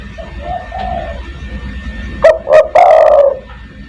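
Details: Soft low coos from a spotted dove lead into a full 'kuk 1' phrase, two short clipped notes and a long, slightly falling coo, in a lure recording meant to call other doves. A faint steady whine runs underneath.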